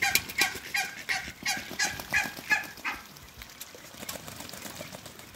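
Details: Muscovy ducks calling on a farm: a quick burst of short, harsh, clipped notes, several per second, that fades after about three seconds into faint background noise.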